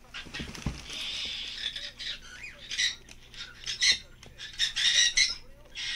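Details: Pet green-cheeked parakeet indoors, newly appearing before cockatiels: harsh, grating broadband squawks given in irregular bursts roughly once a second, with a short rising whistle between them and a few low knocks at the start.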